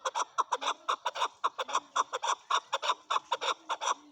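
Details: A male chukar calls in a quick series of harsh chuck notes, roughly two per second, each clipped and rich in overtones, over a quiet background.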